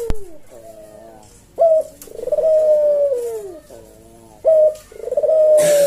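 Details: Collared dove (puter jawa) giving melodious kuk deruk cooing at a slow senggang tempo as a tutor recording for cage birds; a brief loud note leads into a drawn-out, gently descending coo, twice, with a click near the end.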